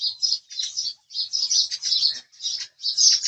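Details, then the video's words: House sparrow chirping in short bursts of bright, harsh chirps separated by brief pauses of a fraction of a second. "house Sparrow Chirping Sound"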